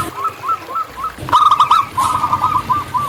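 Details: Local zebra dove in wild song: faint spaced coos give way to a louder, rolling burst of rapid notes, then a fading run of lighter coos, against background rustle.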